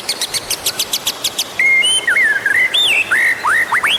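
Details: Lure song of a white-rumped shama meant to get other birds singing. A fast series of high repeated chips opens, then loud looping whistles and quick upward sweeps follow.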